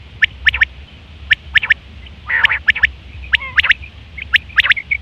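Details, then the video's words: Common quail in September 2023, calling for mating; clipped triple-note phrases repeat throughout, with a rough buzzy churr in the middle and faint short piping notes. "Quail fresh sound sep 2023/ batair ki awaz"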